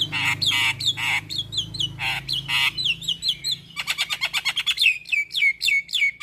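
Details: Javan myna in gacor, full-isian singing style: harsh, buzzy broadband bursts alternate with short slurred whistles, then a rapid chattering run of clipped notes about four per second, ending in drawn-out, slightly rising whistles, with a low steady hum underneath.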